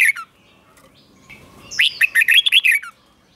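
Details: Red-whiskered bulbul, Thai cage bird, delivering its doubled song for young birds to copy: a short opening note, quiet, then a lively phrase of about seven bright, tumbling whistles.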